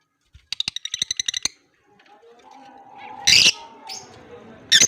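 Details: Chirping of caged lovebirds, blue personata and albino, in Larkana, Sindh, October 2023: a fast rattling series of high chips, a pause, then harsh shrill squawks, with low background hum and voices.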